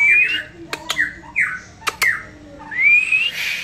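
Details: White-rumped shama singing in a relaxed manner: clear whistled notes, some falling and one long rising whistle, broken by sharp clicks.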